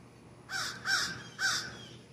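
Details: Common raven, one of three in a backyard tree one morning with a sharp-shinned hawk close by and rain expected, giving three harsh, hoarse croaks in quick succession, each about a quarter second long, over faint background hum.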